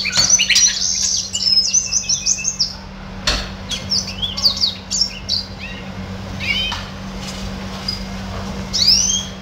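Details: Pet red siskin singing a rapid, twittering jumble of high, thin notes and buzzy trills, pausing briefly and resuming, over a steady low hum.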